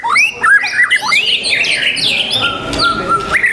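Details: Competition song of a white-rumped shama (murai batu), recorded 12 December: rapid, varied whistled and chattering phrases jumping between pitches, ending in a steady lower whistle, over a crowded, noisy contest background.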